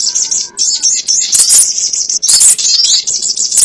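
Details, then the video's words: Sogon ontong lure sound for catching birds: steady high twittering with stronger harsh, squeaky bursts around the middle and toward the end. "SUARA PIKAT BURUNG SOGON ONTONG"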